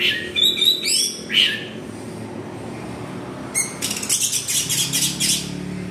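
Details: Orange-headed thrush song played as a lure to set other thrushes singing: varied, rich whistled phrases early on, then a fast burst of high chattering notes, over a steady low background hum.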